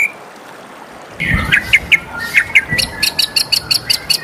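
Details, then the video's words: White-rumped shama singing in the morning: after a short quiet start and a low thud, a string of high thin chirps repeats steadily about every quarter second. "suara merdu murai batu di pagi hari"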